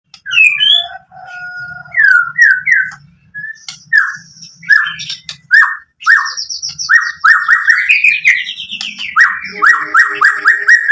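White-rumped shama song: rich, varied whistles and rapid chattering phrases, delivered loudly and continuously.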